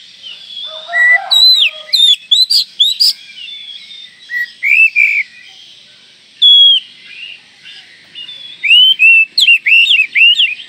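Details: White-rumped shama whose call is said to rouse every other shama within seconds: bursts of loud swooping whistles and sharp chips, separated by pauses, with a fast rolling run of looping whistles near the end.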